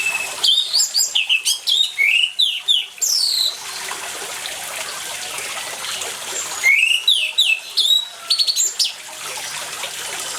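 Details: Orange-headed thrush singing in a very active, chattering manner, paired with water sounds as a lure to get silent thrushes singing: two loud bursts of varied, sharply rising and falling whistles, high and bright, with steady rushing water hiss between.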